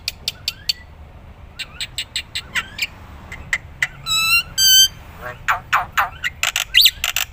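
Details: Black-winged myna in full song, used as a training recording for other songbirds: sharp clicks and chips, then two rich harmonic rasping notes mid-phrase, followed by dense buzzy bursts and scratchy high notes.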